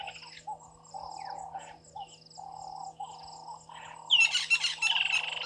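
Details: Water thick-knees at Gowrie dam waterhole, Djuma Game Reserve, Sabi Sand, South Africa, 18:42 on 1 December 2023: loud, shrill piping whistles sliding down in pitch near the end, over a steady low buzzing chorus, likely frogs or insects.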